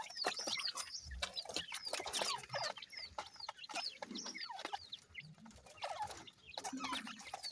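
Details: A dense burst of high, downslurred peeps from a group of grey francolin chicks, calls tumbling over one another almost continuously, with scattered clicks and soft low thuds beneath.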